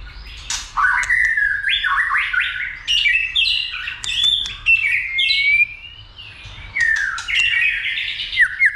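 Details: White-rumped shama urged to sing many voices and to fight: continuous fluty whistles and sliding notes interrupted by sharp clicks, with short pauses.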